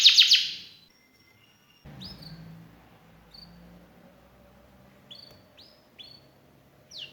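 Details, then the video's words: Indonesian 'gacor' canary, a constant singer prized for its varied phrasing, opens with a loud rapid burst, then after a pause gives sparse, clear upward-sweeping whistled notes, several in quick pairs near the end. "KENARI GACOR CENGKOK ISTIMEWA"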